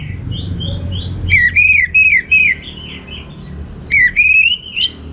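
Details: Orange-headed thrush singing loudly in the teler style with rich varied material. Clear whistled phrases slide and waver, with short warbling notes repeated roughly every half second and brief pauses between bursts, over a low background hum.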